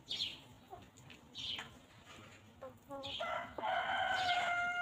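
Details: Free-range chickens walking and pecking at grass on a peaceful farm; short clucks and chirps, then a long, sustained harmonic crow-like call rising in the final two seconds.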